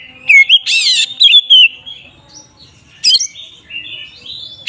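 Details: Ngeplong song of an Oriental magpie-robin, a lure to rouse other magpie-robins to anger: bright looping whistles and a rough grating burst early on, then softer warbled phrases and another sharp harsh note.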